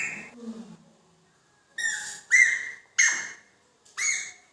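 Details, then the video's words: Indian ringneck parakeet kept as a talking pet, said to speak phrases like mithu mithu mein tota and to whistle; short loud harsh syllables with whistled tones, four bursts spaced about a second apart after a quieter lower opening. "Talking parrot saying Allah ho mithu mithu mein tota and many words"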